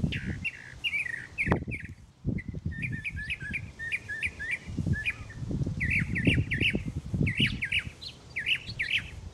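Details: A mockingbird sings in the morning, said to sing until it finds a mate. Bright chirped phrases are each repeated several times in quick runs, then the bird shifts to a new motif. Low rumbling background noise.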